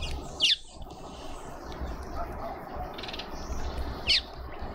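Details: Hungry Cape white-eye at a garden feeder in a suburban garden in Pretoria, South Africa, returning repeatedly for a turn; two brief, high, thin downslurred notes about four seconds apart over a steady low rumble.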